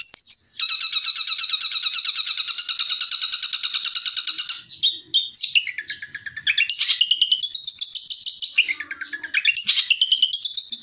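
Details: Long-tailed shrike song used as a training recording for other birds: a long, dense, rapid chattering trill, then varied scratchy phrases, whistles and harsh buzzy notes, mixed and mimic-like, very high-pitched and continuous.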